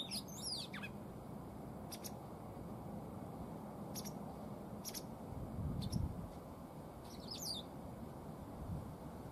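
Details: Tame captive female white wagtail in spring, showing no sign of breeding: brief high chirps scattered through the clip, with quick twittering descending notes near the start and again near the end, over a low indoor rumble.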